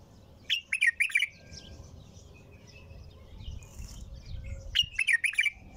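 A bulbul gives bright, warbled phrases of quick whistled notes, one burst at the start and another near the end, over a low background hum.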